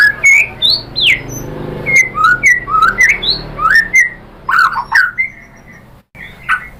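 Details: White-rumped shama song used as a lure to provoke another shama into answering and singing: varied clear whistled phrases, some sharply rising or falling, in quick bursts, over a low steady hum, with a short break near the end.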